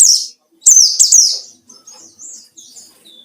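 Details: White-eye song used as a rival-provoking lure: a few loud, high downslurred notes, then softer thin twittering whistles trailing off.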